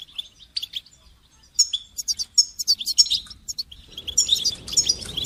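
A goldfinch gives a rapid, tinkling twitter of high, liquid notes in bursts. A low rush of wind rises toward the end.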